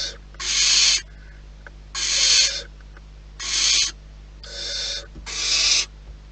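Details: Barn owls in the wild at their nest give regular harsh hissing calls, five rasping bursts under a second each spaced about a second apart, over a faint background hum.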